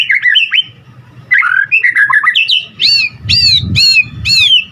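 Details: Vigorous, varied white-rumped shama song: warbled chattering phrases give way to a run of loud, rich, arched notes repeated in quick succession, with low rumbling noise in the background.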